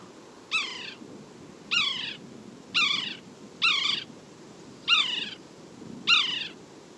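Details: Red-breasted Sapsucker giving its commonly heard angry-kitten call: six harsh, descending, nasal mewing notes, each about half a second long and repeated roughly every 1.2 seconds, over faint low background hiss.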